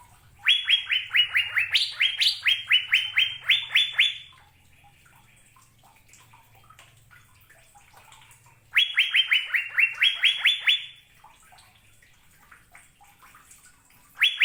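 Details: Asian fairy-bluebird, known in Indonesia as cucak biru, singing two bouts of about four seconds each. Each bout is a rapid run of around twenty clear, high whistled notes that step up and down, separated by a quiet pause with a faint low hum.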